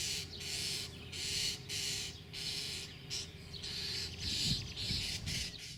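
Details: Common starlings feeding their young give harsh, hissing rasps in quick, uneven bursts, almost two a second, over a low rumbling background.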